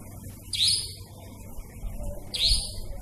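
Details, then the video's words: Nighttime nightjar calls, described as eerie: a pair of shrill descending whistles roughly two seconds apart, with constant low background hum. "Suara burung Iblis II si cabak iblis malam"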